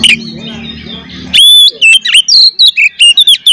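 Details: Oriental magpie-robin fighting song to provoke another magpie-robin: after a faint murmuring start, loud piercing whistles and sharp clipped notes burst out in rapid repeated phrases.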